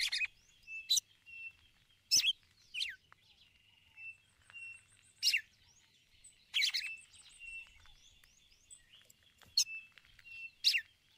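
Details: Female red-cowled cardinal calling the male, giving the ticulau call to stir him up; sharp, loud chirps with steep falling sweeps, repeated roughly every one to two seconds over eleven seconds, with fainter chirping birds and a steady thin tone behind.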